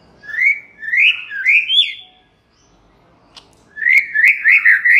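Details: White-rumped shama song, used to provoke other shamas into answering and singing: four loud whistled phrases sliding up and down, a pause of about a second and a half, then a denser burst of rapid whistles with sharp clicks.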